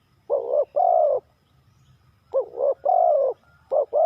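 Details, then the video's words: Spotted dove giving its 3 kuk hoi call: a pair of deep, soft coos, a short note then a longer sustained one, repeated after a pause, with faint low background rumble. "เสียงนกเขาใหญ่ 3กุกห้อย เรียกลงกุก2กุก"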